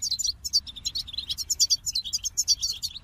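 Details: Goldfinch song of crisp, high chirps delivered in quick, evenly spaced pulses, a sprightly twittering phrase repeated several times a second.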